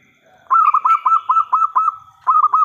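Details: Zebra dove of a local type with a big voice, calling to draw replies from other doves; roughly ten fast, throaty cooing pulses at an even pitch, a brief pause, then another rolling burst begins.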